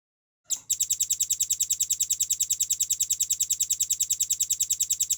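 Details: Red-billed nuthatch tutor song in the speedy, tight, clear style. After a short silence, a brisk series of high, sharp, evenly spaced notes starts and continues steadily to the end.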